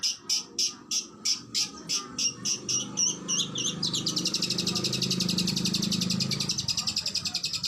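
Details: Kacer (oriental magpie-robin) training song: evenly spaced high notes that quicken into a continuous, buzzy rapid trill lasting several seconds, over a low rumbling background.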